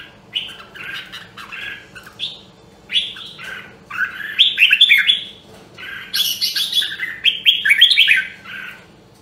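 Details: A red-whiskered bulbul from Nam Đông, Huế sings a long busy stretch of rapid chattering and whistled notes during voice training, growing louder and denser toward the end, over a low steady hum.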